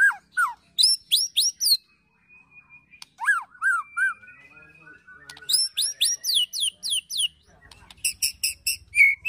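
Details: White-rumped shama ketrekan song with cililin and prenjak fill-ins, played to provoke and train birds: bursts of steeply falling whistled notes, a thin sustained whistle, then fast high chirps and a quick rattling series near the end.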